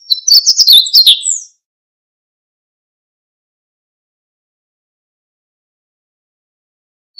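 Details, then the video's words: One short, fast burst of high, tinkling chirps from a Siberian bunting at the start, about a second and a half long, followed by several seconds of silence. "Escribano Siberiano"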